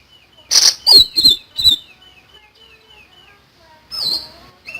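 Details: Energetic common iora song: a few loud sharp whistled bursts, then a soft series of evenly spaced quiet wavering whistles, ending with another bright note.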